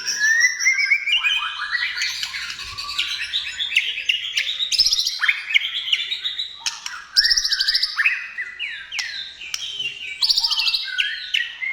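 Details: Rich, varied white-rumped shama song for encouraging other shamas to sing: rapid strings of descending whistled notes, trills and sharp accents, delivered in repeated bursts.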